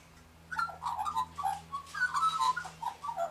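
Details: Australian magpie singing near pink galahs: a rich, continuous warble of fluting, gurgling notes that tumble up and down in quick succession for about three seconds. A steady low hum runs underneath.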